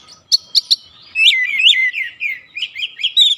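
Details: Oriental magpie-robin giving 'ngeplong gacor' song to provoke birds at home into answering: three sharp clicky chips, then a flowing series of warbled, wavering whistles.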